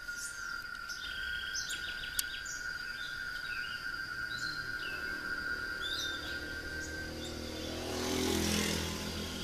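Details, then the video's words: Blue-gray tanager recorded in caserío Miraflores on 31 July 2020: thin, high chirps and a short run of quick squeaky notes over a steady insect drone, with a passing vehicle-like rush near the end. "Azulejo de Jardín"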